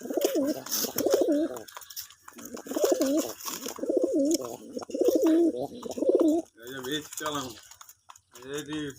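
A pigeon coos in soft, rolling, wavering phrases, over and over, with a voice or two near the end.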